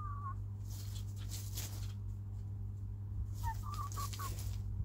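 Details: Hens and a rooster in their coop, playing, eating and clucking: a short warbled cluck at the start, then after a pause a run of quick, wavering mid-pitched clucks, over rustling, pecking taps and a steady low mechanical hum.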